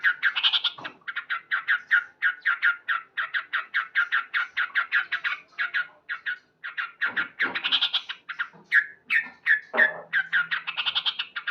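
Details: Male sooty-headed bulbul singing loudly in the morning, a master recording: a quick run of clipped mid-pitched notes repeated several times a second, broken by a few higher, squeakier phrases and short pauses.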